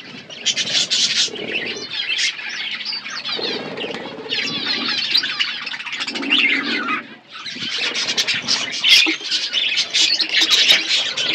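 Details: A group of budgerigars eating seeds in an outdoor aviary, long stretches of busy warbling chatter with a short lull past the middle, plus soft low rustles and wing sounds.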